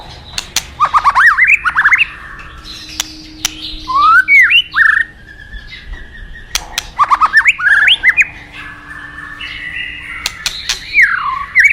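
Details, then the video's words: White-rumped shama from the forest repeating a pattern of quick stepped, rising whistled phrases about every three to four seconds, with sharp clicks and a faint steady hum between phrases. "Terapi Murai Batu Hutan"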